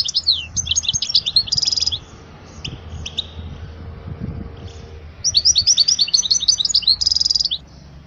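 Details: Tutor song of a European goldfinch for young birds: two bursts of rapid tinkling twitters, each closing on a buzzy, nasal drawn-out note, separated by a few seconds of near quiet with stray chips.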